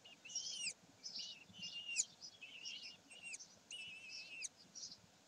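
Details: On 27 May 2020 at Sägeweg, common kestrels utter a run of high, strained, slightly wavering notes with strong overtones, several long and level, separated by brief pauses.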